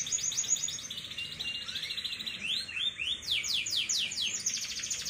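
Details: Three-month-old pet canary in long rolling song meant to coax other young canaries into singing; fast high trills alternate with bursts of sharply falling whistled notes, each phrase running into the next.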